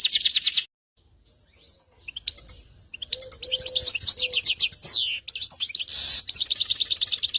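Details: Canary singing loud high-pitched song: fast repeated trills and rolling chirps, a brief pause, then varied rapid phrases with sweeping notes and a buzzy burst, ending in an even trill; soft low tones faintly under some phrases.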